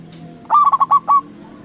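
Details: One phrase from a local zebra dove, called to trigger responses from other doves: a fast run of ringing, stuttered coo notes ending in a sustained final note, over soft low background hum.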